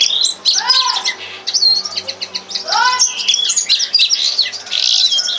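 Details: Red crossbill singing a lesson song: arching slurred notes that sweep down and up, mixed with quick high chirps and rattling trills in a busy, continuous stream.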